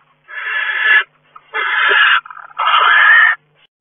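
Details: Barn owl in a nest box during a week in May, when the second egg has hatched and a third owl has visited; three harsh, breathy hissing screeches, each under a second, separated by short pauses.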